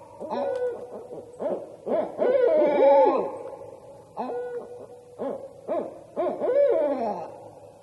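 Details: A Barred Owl pair in a raucous territorial duet of overlapping hoots, sliding whoops and monkey-like cackles rising and falling in excited bursts, often a response to hearing another pair or owl nearby.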